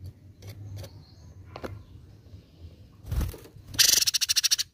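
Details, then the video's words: ['Training song of cucak cungkok: faint ticks and a thin high whistle give way to a loud, harsh, rapidly pulsed rattle at the end, set against a low background hum.'] "MASTERAN MEWAH CUCAK CUNGKOK GACOR!"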